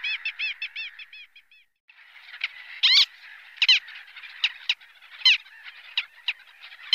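Little Gull giving a quick run of short, nasal, high kek notes, then scattered sharper calls over a steady chatter of other gulls.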